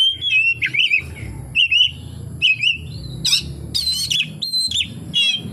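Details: Oriental magpie-robin singing a full fill-in repertoire of kapas tembak phrases: wavering whistled notes around mid-high pitch, slurred and repeated in short bursts, with a few harsher rasping notes later and steady low background hum.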